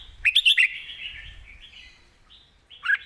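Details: Red-whiskered bulbul delivering a 'master song' phrase: a quick run of three or four bright, rolling whistled notes, then a long soft murmur of background twittering and one final sharp note near the end.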